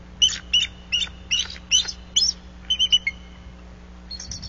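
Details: Wild pair of bald eagles at their nest in Bluff City, tracking an intruder flying through their territory and sounding alarm calls. A series of high, thin chattering bursts comes roughly every half second, then three quick sharp notes, over a faint steady low hum.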